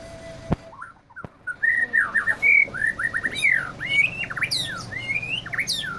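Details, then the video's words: White-rumped shama, described as quick to get worked up, pours out a varied string of rich slurred whistles and sweeping high notes, after two sharp clicks, with steady low hum behind. "Murai batu mudah emosi"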